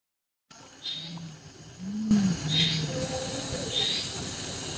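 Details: Deep, low hoots from a brown fish owl, a species widely resident in India: three short booming notes about a second apart, with faint high chirps in the background.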